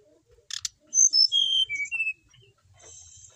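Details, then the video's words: A settled, vigorously singing brown-chested jungle flycatcher from Bali gives a short phrase of clear, high whistles stepping down in pitch, after a brief rattling burst and followed by faint scratchy sounds. "Emang enak kalo punya burung srdc mapan, mau di apain aja tetap gacor,sikatan rimba dada coklat"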